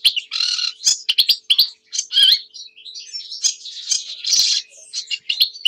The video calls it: Камышовка барсучок Acrocephalus schoenobaenus